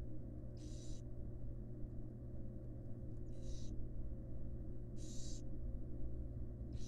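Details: Wild barn owl family in a nest box, the female bringing food to fledglings: four coarse, breathy screech-hisses, irregularly spaced, the last one cut off, over a low droning hum.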